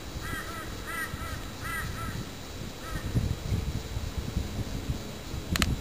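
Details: Magpie-lark (peewee) near a nest where the chicks appear to have hatched, recorded 14 November 2010. Brief clear arched notes, mostly in pairs, come about four times within three seconds over low rumbling background noise. A sharp click sounds near the end.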